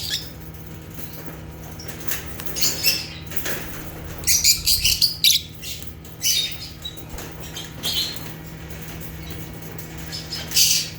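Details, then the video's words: African lovebirds (Agapornis) making natural chirping sounds: scattered shrill chirps and clicks with a louder cluster of squeaky chatter midway, over a low constant hum. "Rare African Lovebirds (Agapornis) | Natural Chirping Sounds"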